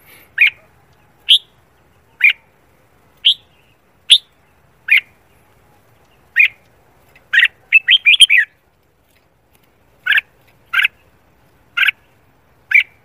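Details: Red-whiskered bulbul in morning song, trained for singing competitions; regular loud whistled notes nearly every second, broken by a rapid tumbling burst of warbled phrases partway through, then more evenly spaced single notes.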